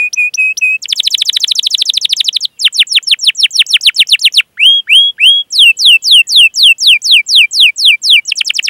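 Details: Canary 'cuit cuit' song for teaching young canaries to sing: steady whistles, a rapid trill, then sweeping downslurred notes and short rising whistles, all high and clean.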